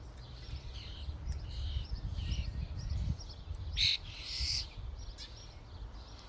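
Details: Starlings crowding a feeding station: scattered buzzy chirps and whistles, then a loud sharp call followed by a longer rasping screech, above a low rumbling noise bed.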